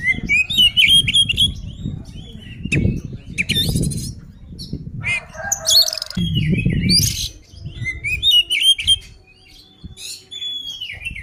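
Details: Oriental magpie-robin in fighting song to rile other birds: rapid chattering whistles and rising slurred notes in quick bursts, a harsh buzzy rasp midway, low thumps underneath.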